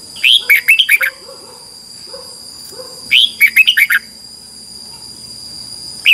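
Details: Morning competitive song of a red-whiskered bulbul: quick phrases of bright, bouncing whistled notes about three seconds apart, with soft low chirps between phrases and a constant thin high tone.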